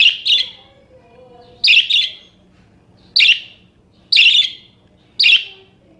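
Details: Caged budgerigar used to tutor other songbirds, uttering rough, buzzy chirps in quick pairs and singles, five bursts in six seconds, over a faint low tone and hum.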